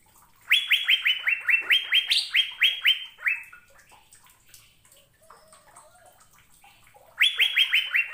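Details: Asian fairy-bluebird singing on a recording meant to prompt caged birds to sing. A fast run of about a dozen bright, upward-flicking whistled notes, slightly falling in pitch, then a quiet gap and another burst of the same notes.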